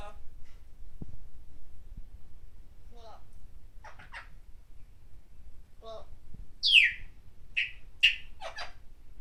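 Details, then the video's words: A pet parrot mimics speech, calling "Go! Jeremy!" in short, hoarse, word-like bursts, ending with two loud shrill cries close together, over a low indoor hum. "Parrot POPO makes noise "GO! Jeremy!""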